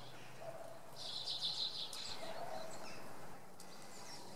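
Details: Common redpoll at Oksywie on a Sunday morning, a drawn-out buzzy high note lasting nearly a second, followed by a few faint chips, against low background noise.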